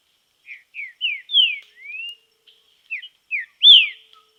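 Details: Whistled song of a green-winged saltator training in nature: short descending slurs, one long upward-gliding whistle, then a gap and a final loud arched note.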